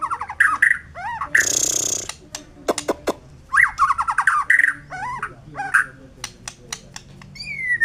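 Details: White-rumped shama in varied song: mid-pitched whistled phrases, sharp clicks and a harsh raspy burst, with pauses between phrases.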